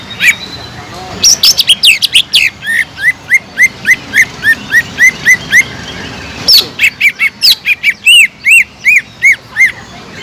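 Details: Sumatran leafbird, a gacor singer used to excite sluggish leafbirds: fast chip bursts leading into long runs of arched whistled notes about three per second.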